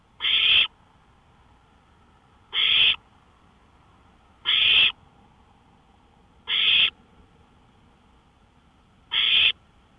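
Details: Nighttime owl at a porch, early morning of 5 May 2013. Five short, hoarse hissing shrieks sound at steady intervals of about two seconds, with a faint low hum between them.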